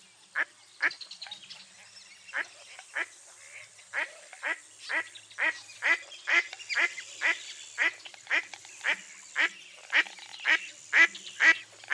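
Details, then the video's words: Mottled duck, an eastern North American dabbling duck, delivering a long sequence of about twenty harsh quacks that start scattered and softer, then grow louder and more regular, roughly two per second. "Mottled Duck Call"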